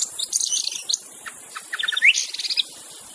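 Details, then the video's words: White-rumped shama in the wild, its song meant to lure other shamas into singing: brief busy bursts of high squeaks and chips, a scattered pause, then a sharp upswept whistle with a quick trill, over a background insect hiss. "kicauan MURAI BATU di alam bebas Tanpa Isian||cocok untuk pancingan murai batu macet"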